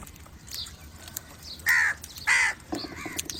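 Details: A crow calling other crows gives two loud, rasping caws close together in the middle of the recording. Fainter calls come before and after, over a soft outdoor hiss.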